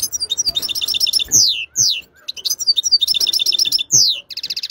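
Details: European goldfinch song: bursts of sharp tinkling chirps in rapid series, broken by loud downward-sweeping whistled notes, with the whole phrase pattern repeated after a short pause.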